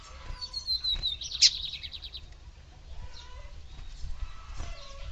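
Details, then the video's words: Female lined seedeater calling to excite the male, giving a thin falling whistle that breaks into a sharp chip and short fast trill, then quieter faint notes over low background rumble. "FÊMEA DE BIGODINHO CHAMANDO MUITO PARA FOGUEAR SEU BIGODINHO"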